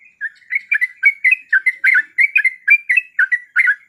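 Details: Calls of a female yellow-vented bulbul in breeding condition summoning a male: a steady stream of short, liquid, chirpy notes, some doubled, about three per second, clean and without background noise.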